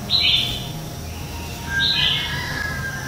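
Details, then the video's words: Red-whiskered bulbul lure song for morning training; two moderately loud, bright whistled phrases about two seconds apart, each a short slurred warble, over a faint low background hum. "Luyện Chào Mào hót sáng hay nhất - To - Rõ - Vang | luyện giọng chào mào mới nhất 2019"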